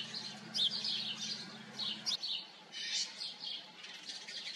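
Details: Colony of house sparrows chirping: lively clusters of short, high cheeps in several bursts with brief pauses, over a soft low hum that stops halfway.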